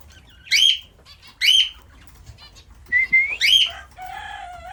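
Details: Lutino cockatiel gives loud, rising whistled chirps, several in quick succession.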